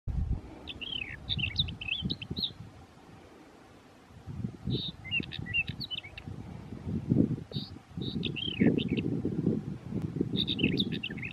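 Mourning wheatear giving short, high warbled phrases of twisting notes about every three seconds, over a steady low rumble of wind or distant traffic.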